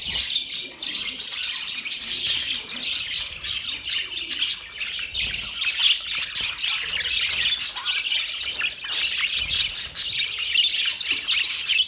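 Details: Budgerigars described as happy, chirping in a dense, continuous chatter of high, scratchy twitters and warbles, overlapping squawky notes and quick tweets that rise and fall without pause for the full length.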